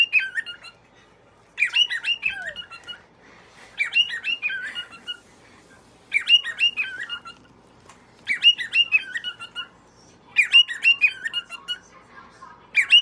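A cockatiel gives bursts of bright, chirpy whistled calls, repeated about every two seconds.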